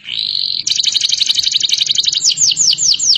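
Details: Canary opening with a steady high buzzy tone, then a rapid pulsed trill, ending in several evenly spaced downward sweeps; faint low hum underneath.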